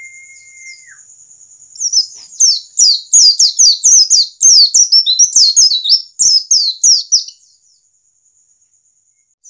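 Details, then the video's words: Standard wild-caught white-eye singing, used to get other white-eyes to start singing: after a thin held tone, a fast, high, twittering run of sharp descending chirps rattles on for about five seconds, then stops over a steady high hiss. "Jangan remehkan pleci ngalas standar, justru ini yang dapat mempercepat pleci buka paruh."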